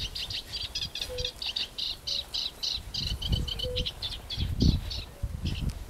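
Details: Eurasian reed warbler singing on ponds at Jaktorów, 10 May 2022: a rapid chattering run of harsh, scratchy notes, repeated in quick pairs and triplets, while fire-bellied toads give soft low croaks and a low rumble runs beneath.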